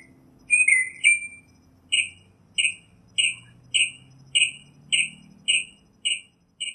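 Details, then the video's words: Northern mockingbird (Mimus polyglottos) in nature: a couple of whistled, slurred notes followed by a steady series of short, harsh chip notes, nearly two per second, each identical, over a faint low hum. "Birds Singing - Northern Mockingbird"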